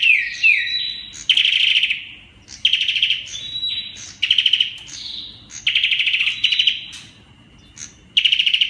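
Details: {'caption': "Olive-backed tailorbird delivering the rapid-fire 'Kalashnikov' song: five or six loud staccato rattle bursts roughly every second or so, linked by brief high whistled slurs."}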